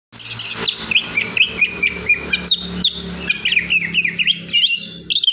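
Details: Agitated cucak ijo pouring out a continuous high song of sharp, slurred whistles and chirps, many notes each second rising and falling, over a steady low hum in the background.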